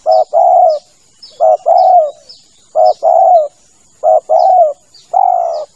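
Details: Male spotted dove call played as a hunting lure: low cooing pairs, short note then longer sustained coo, repeated steadily five times, with faint high chirping from small birds and a faint background hiss.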